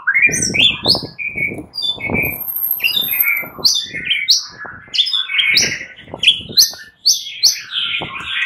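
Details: Fighter-class white-rumped shamas answering each other in heated, non-stop song: rapid strings of short upslurred whistles and chips, densely layered, over frequent soft low thuds.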